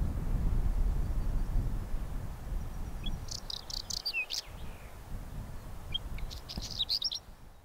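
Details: Whinchat song: two brief, scratchy, chattering phrases of high twittering notes, the first around three seconds in and the second about two seconds later, each ending abruptly, over steady low rumbling wind noise.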